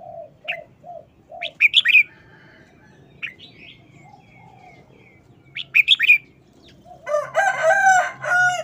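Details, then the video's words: Short, rapid wild-song style from a caged red-whiskered bulbul: brief whistled notes and two quick chattering phrases, preceded by soft cooing, then a loud harsh crowing-like call from another bird dominates the close. "นกกรงหัวจุก 238"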